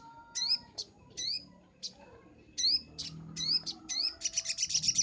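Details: Sunbird master song for training birds: crisp high upslurred whistled chips about every half second, ending in a quick rattling trill, with a low steady hum below.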